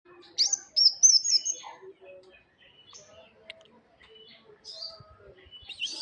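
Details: Tame songbird singing vigorously, with high thin whistled chirps in a quick rising-and-falling run near the start, then scattered short tweets and a squeaky burst at the end over soft low murmuring.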